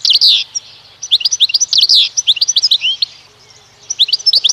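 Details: Goldfinch × canary mule, a hybrid kept as a pet, singing rapid high twittering phrases of short chirps and buzzy trills, delivered in bursts separated by brief pauses.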